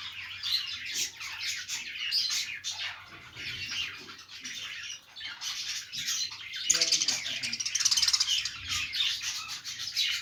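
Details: Pet budgerigars in a happy, playful mood chatter in a scratchy, high warble that grows louder and busier in the second half, interrupted by a single sharp click.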